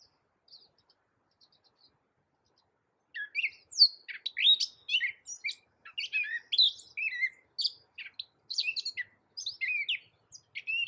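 Gray catbird singing a rambling, jumbled string of squeaky, scratchy and whistled notes in quick, varied phrases after a few faint opening chips.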